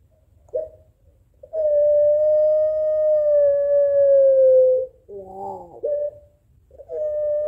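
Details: Drawn-out, even coo of over three seconds from a puter pelung Barbary dove calling to a rival, followed by a quick wavering burst and the start of another note.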